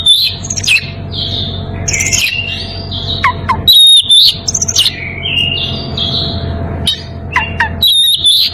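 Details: Oriental magpie-robin in breeding condition, calling out to a rival, gives bright whistled phrases, some long and wavering, others sharp downward-sweeping notes, with scattered clicks between bursts and a faint low hum throughout.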